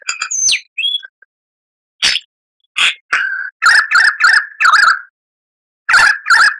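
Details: Lyrebird song used as a master recording for cage birds to copy: scattered sharp notes, then a run of bright, fluttering warbled phrases in quick bursts separated by short silences, with no other sounds.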